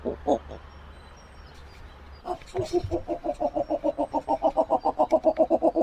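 A snowy owl gives a few harsh notes, then a rapid, steady series of barking, cackling calls, about four per second, that grows louder toward the end.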